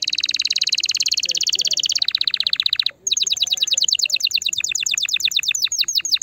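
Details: Canary song aimed at stimulating a female: a long fast buzzy trill, a brief gap, then rapid downward-sweeping notes that gradually slow, with faint low background murmur.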